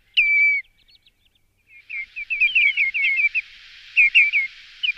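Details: Common redshank calls used as a bird lure: one loud clear whistle falling slightly in pitch, a short pause, then a quick run of shorter whistled notes in uneven bursts over a faint steady hiss.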